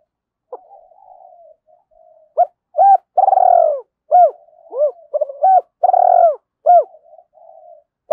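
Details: Spotted dove in early morning, cooing to provoke fighting and lure: a fast run of short hooked coos and one long coo, with soft low murmuring between phrases.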